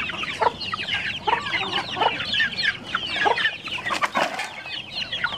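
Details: Chickens in Cambodia competing for food scraps such as rice, a hen protecting her chicks from other chickens: many overlapping clucks and chick peeps over a busy background.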